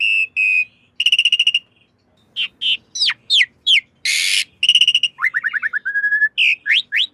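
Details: Varied Asian pied starling master song for training caged birds, mixing steady whistles, rattling trills, sharp slurred notes, a loud harsh burst and a quick descending series of short notes.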